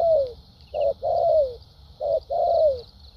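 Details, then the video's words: Caged spotted dove decoy singing a 'bài bản' song with 'thúc gù' and 'lèo dặm' phrases. Two phrases: a brief low coo, then a drawn-out mellow coo sliding downward, separated by short pauses. "Đồng tốt tiếng bài bản.clip 870.nết chơi thúc gù,lèo dặm quá hay"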